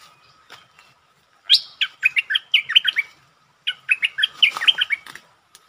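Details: Lure bulbul singing to challenge a resident territory owner: two bursts of bubbly, liquid notes that hop between mid and high pitch, about eight quick notes each, separated by a short pause, with faint clicks before.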